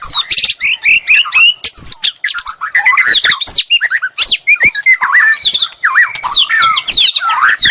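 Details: White-rumped shama song played as bait to provoke a rival's reply: a fast, varied stream of loud whistles, sweeping slurs and sharp chips, rising and falling between notes with brief pauses.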